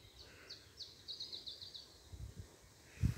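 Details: Putative Iberian chiffchaff (Phylloscopus ibericus) singing around 04:08–04:25, before sunrise, 17 June 2019, Skagen, Denmark, probably just arrived overnight: high thin notes, spaced then quickening into a brisk series; wind rumble, end thump.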